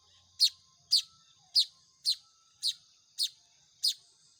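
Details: Young Baya weavers calling for food during hand-feeding: seven piercing, rasping chips about every half to two-thirds of a second, fairly steady in rhythm.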